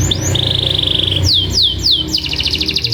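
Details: Canary lure song meant to trigger long rolling song in other canaries: rising chirps lead into a steady buzzy trill, then three swooping descending notes and a pulsed high roll, with a faint low hum.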